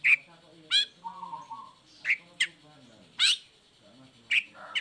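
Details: Long-tailed shrike singing in its cage after the cover is removed, meant to spur lazy or moulting shrikes into song: loud harsh squeaky notes, well spaced, with a low level hum in the background.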